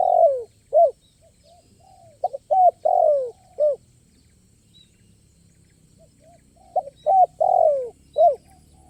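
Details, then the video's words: Spotted dove singing at a luring site in a crisp, stuttering style full of sound play. Clipped coos and long falling notes come in irregular bursts, with a quieter second dove answering softly. "Suara Burung Ini Berkelas Dan Mewah"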